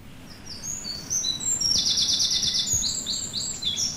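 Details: Two Eurasian wrens singing a duet in British woodland in January, with a blue tit also singing: loud high-pitched phrases, short pure notes, then a long rapid buzzy trill around the middle, with further bright notes after.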